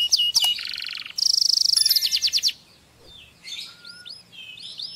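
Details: Male canary song for stimulating mating: a short chirp, a buzzy rattled trill, then a fast rolling trill of bright notes, a brief pause and soft rising whistles.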